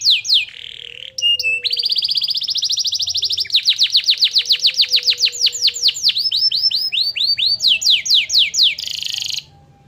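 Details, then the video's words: Canary delivering a song with white-eye (pleci) material to raise excitement: loud, rapid, evenly pulsed high trills changing from one note shape to another, a few steady whistled tones early on, ending abruptly. "Burung kenari bocor materi pleci untuk menaikan emosi"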